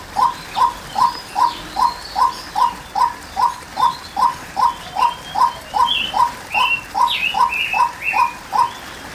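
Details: A female white-breasted waterhen gives a long run of short, regular mid-pitched notes, roughly two and a half each second. Higher chirps and whistles from other birds come in during the second half.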